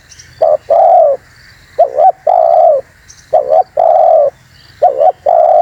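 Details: Spotted dove lure call: repeated low coos, each phrase a short doubled note and a long smooth coo, heard about four times at an even pace with a light background drone.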